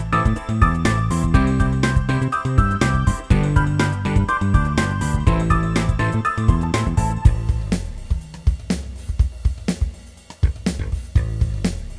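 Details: Steady instrumental music with deep bass notes and regular percussive beats, with no animal voices.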